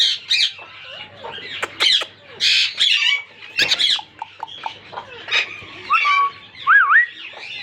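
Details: First-season monk parakeet pair meeting: mixed harsh squawks and short clicks, then clear whistled notes that slide up and down at the end, with faint hum underneath.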